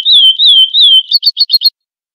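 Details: Classic Florianópolis-style chestnut-bellied seed finch (curió) song, used to teach young birds: three clear, high, wavering whistles, then five quick, sharp, slightly higher notes, all in under two seconds.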